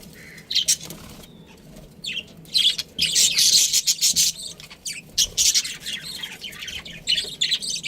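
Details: Budgies kept at home start with a few isolated squeaks, then break into loud, harsh chattering bursts of high chirps and squawks.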